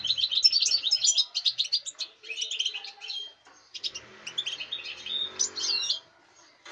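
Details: European goldfinch song recorded on 05.08.2019: rapid, liquid twittering with tinkling and buzzy notes in fast runs. A short pause breaks the phrase, which then resumes more softly and ends in a few slurred notes.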